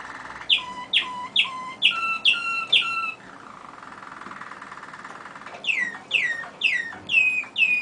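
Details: Singing Waterslager canary, one of two caged brothers that never sing together: sharp ringing notes repeated about twice a second, a soft low rolling passage in the middle, then more bright descending notes.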